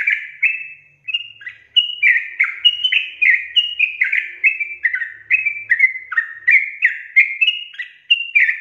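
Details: Long, rapid run of sooty-headed bulbul song, with quick bright whistled notes slurring downward and upward in quick succession, almost without break, the recording otherwise clean and quiet.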